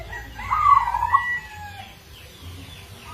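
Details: Local zebra dove from Indonesia with an uncommon song rhythm, a lure singer: one short warbled trill of rolling notes, then quiet with faint distant bird chirps and a low hum.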